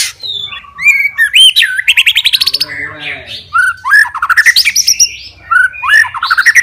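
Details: White-rumped shama, a fighter-type bird singing to provoke rivals, delivers a loud varied song of whistled upslurred notes, rapid dry rattles and rising chirp series at about two to five kilohertz, with a faint hum beneath.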